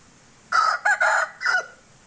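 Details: A hoarse crow from an Aseel rooster, broken into four rough pulses over about one and a quarter seconds, with the last pulse dropping slightly. The background is quiet.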